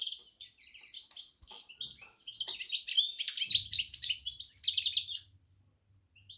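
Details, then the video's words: Goldfinch x canary hybrid singing a fast, continuous twittering song of high trills, warbles and buzzy notes, rising and tumbling, ending abruptly after about five seconds with a faint low hum underneath. "hybrid Carduelis x Canary"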